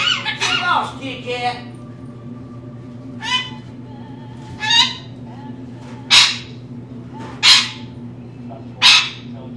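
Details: Talking pet rainbow lorikeet, female, indoors; an opening burst of speech-like chatter followed by harsh short squawks spaced about every one and a half seconds over steady room hum.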